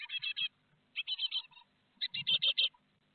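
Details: Great tit family at the nest in Théding, 12 May 2021, young fledging one after another; three clusters of harsh, quickly repeated chirps, each burst lasting about half a second, separated by short pauses.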